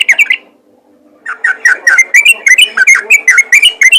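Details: Yellow-vented bulbul calling other bulbuls, a short burst of bubbly notes, a pause, then a steady run of quick liquid chirps, several per second, rising and falling slightly.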